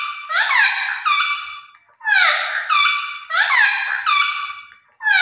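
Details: Parrot kept indoors voicing repeated loud nasal squawks with sharp downward slides, each utterance about a second long, repeated in quick succession.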